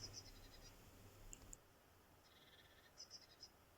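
Eurasian blue tit song: thin, very high notes, then a brief lower trill and more high notes. Faint, with a low rumble at the start.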